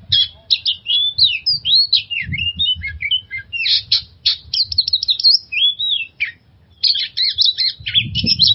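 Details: Oriental magpie-robin used as a lure song to get stressed birds singing: rich, varied whistled phrases with quick slurred notes, rising and falling sweeps and short chattery bursts, brief pauses, faint low background rumble.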